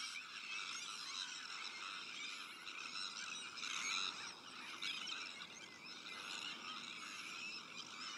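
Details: Colony of breeding Sandwich terns, mixed with black-headed gulls, Arctic terns and common terns: overlapping grating and screeching calls fill the air steadily, with a louder cluster of sharp cries near four seconds.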